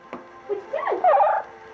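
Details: A female double yellow-headed amazon living at a veterinary hospital in Glen Cove, NY, mimics human speech ("what are you doing") in quick, voice-like syllables that swoop up and down in pitch, louder toward the end.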